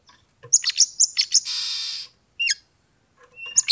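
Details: Oriental magpie-robin (kacer) song played to provoke a rival to fight. Fast run of sharp repeated chips leads into a long harsh hissing rasp, then a single downward-slurred whistle and another quick burst of chips.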